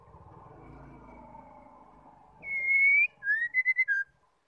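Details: Female white-rumped shama call meant to provoke males to sing, heard after a stretch of low rumbling noise: one long clear whistle followed by a rapid string of short whistled notes, the last dipping lower.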